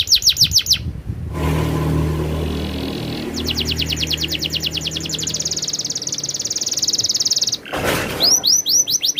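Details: Canary rolling song heard over a low rumbling background: quick slurred notes at first, then a long, even, rapid trill that ends in a burst of noise before slurred notes resume.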